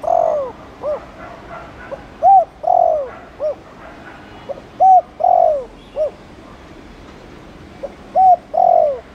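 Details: Spotted dove chiêu cooing, intended to stimulate newly caught doves to coo quickly. Hollow low coos come in loose pairs, each a clipped note and a longer falling one, repeated at uneven gaps of about two seconds.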